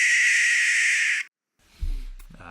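A Barn Owl gives one long, harsh, hissing shriek lasting about a second, followed by a man starting to speak.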